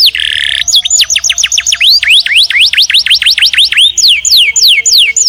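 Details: House canary opens with a harsh buzzy note, then a lively run of rising and falling whistled sweeps repeated in quick succession, high and clear.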